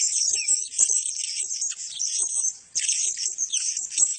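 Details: A group of male blue-crowned hanging parrots in full chorus, giving shrill, sibilant, tinkling chatter made of rapid overlapping squeaks, with one clear silent break shortly after the middle.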